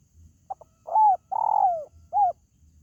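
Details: Spotted dove call used to lure pet birds kept at home: two faint clicks, a husky coo, a long falling drawn-out coo, and a short closing coo, with soft low rumbles.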